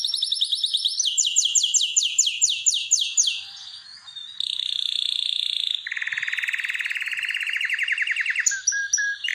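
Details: Canary singing in a breeding room where birds are prepared for mating. Quick descending whistles lead into a steady pure tone, then a lower, buzzy, rapid rolling trill and a brief high flourish.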